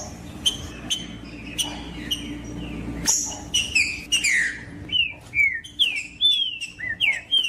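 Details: Green-winged saltator, female piping used to get males singing, alongside a male: sparse sharp chips at first, then a lively string of clear downslurred and arched whistles repeating about twice a second, low hum behind.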